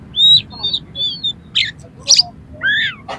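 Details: Oriental magpie-robin singing harsh varied material to raise another magpie-robin's excitement: three clear arched whistles, noisy rasping bursts, then a falling double-toned whistle and a final scratchy note.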